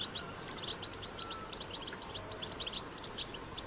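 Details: Wild goldfinch, European species, recorded outdoors singing its batbata style, a lively string of quick high twitters and ringing chips in small groups, with light background hiss.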